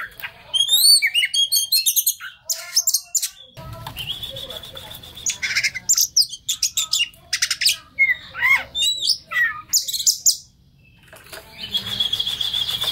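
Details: Oriental magpie-robin (kacer) song meant to draw a stressed bird into singing; mixed harsh squawky notes, whistles and chatter over a low background hum, with a sustained high buzzy note near the end.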